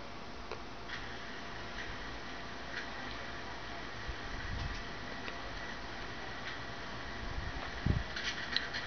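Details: Soft irregular ticks and clicks over a low mechanical hum and a few dull thumps indoors, with no animal sound.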